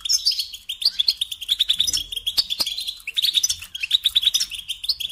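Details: European goldfinch singing continuously for song training: dense, tinkling twitter of quick high notes and rolling trills, with occasional sharp clicks.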